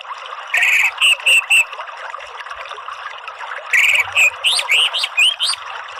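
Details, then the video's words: Orange-headed thrush therapy song: three clear short whistles, a pause, then a quick varied burst of rising and falling whistled notes over steady hiss. "BUNYI ANIS MERAH spontan NYAUT NGERIWIK NGEPLONG"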